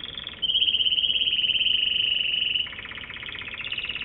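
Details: American Singer canary singing a fast buzzy roll of high notes, then a brighter sustained trill, then a lower rattling tour, with each phrase held steadily for about a second or two.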